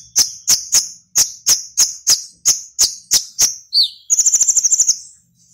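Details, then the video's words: Konin (Purple-throated sunbird) from Serang, Banten, Indonesia, in an online singing competition: ten loud, high, sharp chips about every third of a second, then a fast, even, very high trill. "LOMBA KONIN ONLINE 15"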